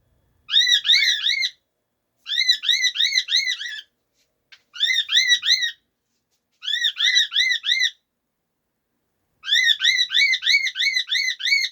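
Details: Cockatiels in a morning session chirp in quick bursts of bright, arched, slightly harsh notes, each run lasting about a second.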